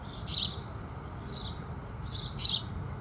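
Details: Sunrise chirping from house sparrows: a few loud, clipped tweets in quick pairs with short pauses between, set against a faint low background murmur.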